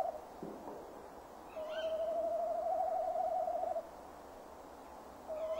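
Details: At a nest box in December 2015, early evening, the male tawny owl calls: a long, evenly pitched, quavering hoot of about two seconds, preceded by faint short sounds and followed by the start of another hoot.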